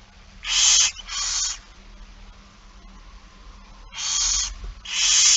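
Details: Barn owl begging at a feeding on 8 September 2019, 16:02: four harsh, breathy hisses of about half a second each, two close together, a pause of two seconds, then two more.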